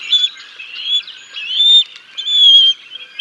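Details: Bald eagle family at the Decorah North nest, 6 May 2022, a live nest camera. The male feeds fish to the chicks until the female comes. Drawn-out, high whistles alternate with short chippy notes.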